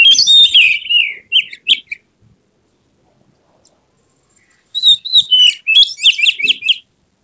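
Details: Oriental magpie-robin in an emotional, tail-spread display. A burst of loud whistled and chattering notes gives way to nearly three seconds of silence, then comes a fresh run of bright, rapidly repeated whistled phrases.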